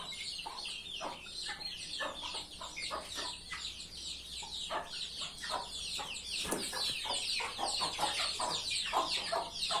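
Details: Chickens calling: many overlapping high-pitched peeps fill the background, while short low clucks repeat steadily, a couple each second.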